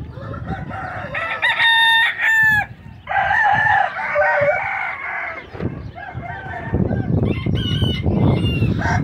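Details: Cuckoo bantam chicken crowing: a loud harmonic burst near the start, then a long, rough, sustained crow of about two seconds. Further crowing and clucking notes follow, with low rumbling background noise throughout.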